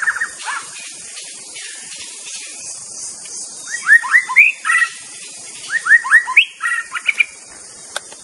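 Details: White-rumped shama singing in the wild: clusters of rising whistled notes and slurred phrases in two bursts around the middle, over a steady high insect drone.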